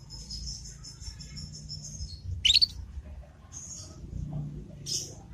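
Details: Learning juvenile Yorkshire canary giving its 'ngriwik' sound as a tutor lure: drawn-out thin high trilled twitter, a sudden sharp rising chirp midway, then further short high twittered bursts.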